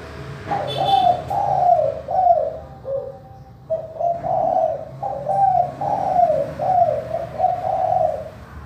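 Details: Manggung cooing of a spotted dove with a clear voice, used to lure silent doves into calling: a long series of husky, mellow coos in groups of two and three, each dipping in pitch, with short pauses.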